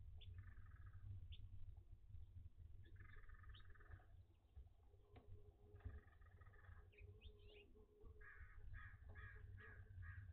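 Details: Captive owl mother with owlets in a hot nest box, about 85F outside and over 90F inside. Hoarse, harmonic screechy calls of about a second, repeated in bursts with short sharp notes between, over a steady low hum.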